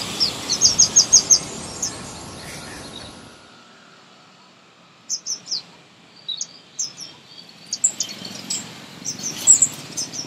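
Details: Sunbird singing in a garden in India: a fast even trill of about six bright high notes opens, then after a silence, sparse sharp chirps scattered across the rest.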